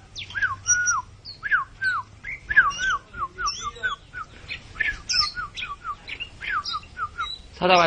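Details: Oriental magpie-robin singing busily, whistled downslurred notes mixed with scratchy chirps and fast high fragments, ending in a harsh burst of sound, with background hum throughout.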